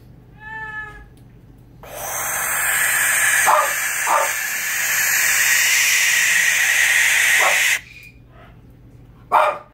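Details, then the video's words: A rescued baby barn owl, protesting at being checked for injuries, gives a brief squeaky note and then one long, harsh, hissing scream of about six seconds, with a few soft knocks around it. "Baby barn owl screaming"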